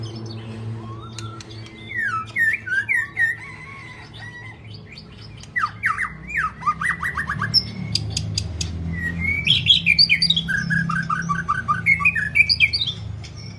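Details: White-rumped shama delivering extended varied song: rich whistles, rapid descending trills, sharp clicks and bursts of quickly repeated notes, growing busier and louder midway, with a low background rumble.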